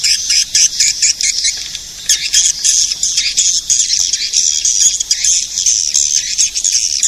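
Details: Lure sound to attract edible-nest swiftlets: a dense, high twittering chatter, partly merged into a continuous shrill wash with brief chirp bursts and a short quieter dip near the two-second mark.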